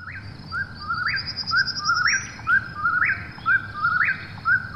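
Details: Eastern whip-poor-will calling at night: about five whistled phrases, each a short low note sliding up into a rising, ringing end, repeated roughly once a second, with a faint thin high trill in the background.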